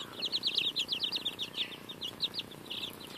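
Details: Several two-week-old baby chicks eating a strawberry, giving rapid high peeps in quick bursts, many short notes each sliding slightly downward, about three per second overall, with soft pecking and shuffling underneath.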